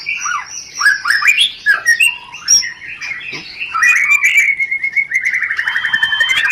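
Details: White-rumped shama in rapid rencetan-style song, used as a lure to arouse breeding condition and prompt mating: varied clear whistled phrases, slurred up and down, mixed with sharp clicks, ending in a fast repeated trill.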